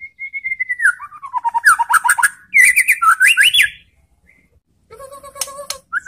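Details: White-rumped shama singing to goad other shamas into answering: a falling whistled glide, then fast bursts of twisting notes and rising slurs, a short pause, and a buzzy, harmonic phrase with clicks.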